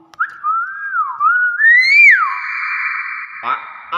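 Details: A talking common hill myna gives clear, sliding whistles that waver up and down, then a long, steady, buzzy tone.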